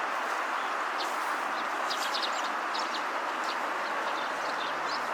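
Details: Eurasian tree sparrow calling on a riverbank at sunset, in the evening sunlight: short high chirps in small clustered bursts, scattered over a few seconds above a steady, loud broadband rushing background.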